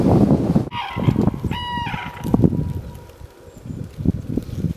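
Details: Red-crowned cranes on Hokkaido, Japan, March 2012, during their dance: a burst of harsh honking notes followed by a clear, bugling, sustained call with strong overtones, against heavy wind rumble.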